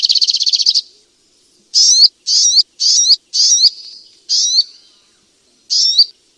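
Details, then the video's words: Striated grassbird song opening with a quick buzzy trill, followed by a series of separate rising whistled notes roughly every half second, then slower single notes. "Terapi Burung Sogok Ontong lelet dan males bunyi"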